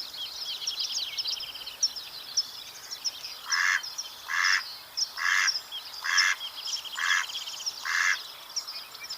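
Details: A Mallard (Anas platyrhynchos) gives six harsh, nasal quacks, a little under one a second, over steady high chatter from small birds.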